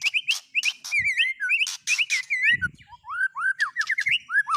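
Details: Murai batu song with borrowed isian phrases: bright whistled notes mixed with harsh buzzes, then a run of rising whistled slurs climbing in a quick, irregular series.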